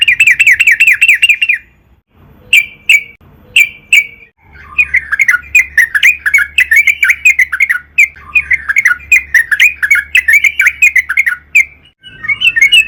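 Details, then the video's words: A Sooty-headed bulbul (trucukan) sings at length, used as a lure to make other trucukan sing: a quick trill of chirps, a few spaced notes, then a long, busy, jumbled stream of harsher squawky chirps. "burung trucukan gacor PANJANG buat PANCINGAN TRUCUKAN AGAR BUNYI"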